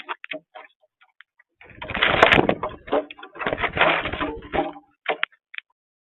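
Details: Cowbirds, travelling in huge flocks of 50 or more per feeder in a home garden, give two harsh, crackling bursts of chatter, each over a second long, among scattered short clicks and thin whistled notes.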